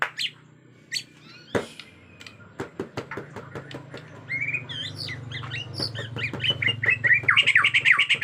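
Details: Agitated Bornean white-rumped shama with a natural forest sound: scattered sharp clicks speed up into a dense stream, then build into a loud, rapid, varied warble of high, slurred whistles over a low hum.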